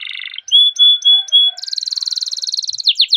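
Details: Canary song used as a training lure: a short trill, several pure steady whistled notes, then a long dense rapid roll ending in a few sweeping notes.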